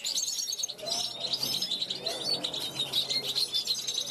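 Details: 2021-hatched European goldfinch on a balcony, calling to wild goldfinches going by: sweet, rapid high-pitched twittering with clear whistled slurs and liquid trills, delivered in quick pulsing phrases.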